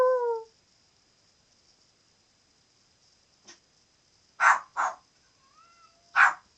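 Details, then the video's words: Pet parrot barking like a dog: a harmonic whistled note, a pause, then three loud, abrupt bark-like calls spaced about a second apart with a soft rising whistle between them. "Parotte making noises!"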